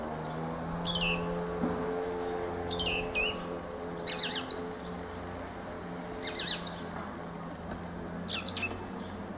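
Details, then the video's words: Fieldfare (Turdus pilaris) song: short squeaky, chattering phrases with sharp descending notes, given about every one to two seconds over a steady low hum. "Fenyőrigó ( Turdus pilaris ) éneke."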